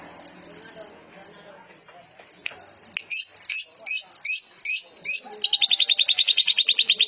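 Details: Greater green leafbird song in a canary-like style: faint scratchy notes, then loud looping whistled phrases repeated about twice a second, ending in a fast, even, buzzy high trill.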